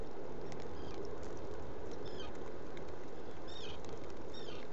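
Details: Black guillemot calling inside a nest burrow at Seal Island NWR, Maine, recorded by a burrow cam on the afternoon of 29 June 2018; thin, high, downward-bending whistles in small bursts, partly masked by constant loud hissing.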